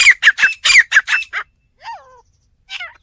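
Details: Harsh, strident partridge notes come in a rapid burst of about seven, then stop. Two faint, slurred chirps of another bird fill the quiet that follows.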